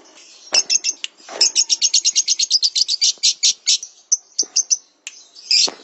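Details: Caged lovebird singing for training, best done mornings or evenings: a long fast run of sharp, shrill chirps rising in strength, then scattered high tweets and a final harsh burst.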